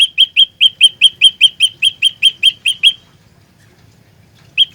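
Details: An olive-backed tailorbird used to lure birds for trapping rattles off about fifteen fast, shrill, identical chirps, then goes quiet before one last note.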